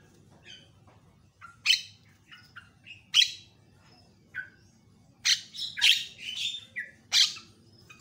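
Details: Javan myna tutor recording of varied calls said to agitate other mynas; scattered short chirps, then loud harsh screeches in irregular bursts after quiet gaps.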